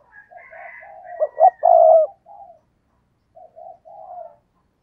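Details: Caged decoy spotted dove. Soft low coos lead into a loud phrase of rapid stuttered notes and a long rough coo, then more faint cooing. A thin, higher whistled sound is heard faintly at the start.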